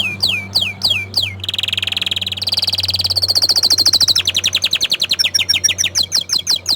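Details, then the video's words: Orange frost canary in full song: quick falling whistled notes, then long rapid rolling trills that shift higher in pitch, ending in fast chopped chirps, with a steady low hum beneath. "Kenari Oren Frost ini Ingin Menunjukan Kicauan nya yang Mantul"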